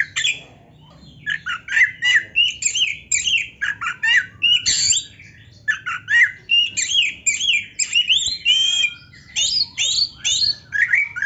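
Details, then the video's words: Energetic Oriental magpie-robin song played to get other kept magpie-robins singing: a steady stream of short, bright whistled notes and quick slurs, delivered in rapid bursts with brief pauses, varied throughout. "MASTERAN KACER GACOR ISIAN MEWAH ‼️ - AMPUH BIKIN KACER LAIN CEPAT PANAS"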